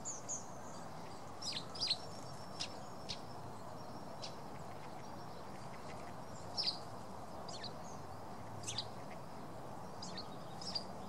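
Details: A sparrow at its tree-hollow nest on Tatyshev Island, Krasnoyarsk, in May 2014, gives short, high chirps at irregular intervals, a dozen or so in eleven seconds, over a steady low background rumble.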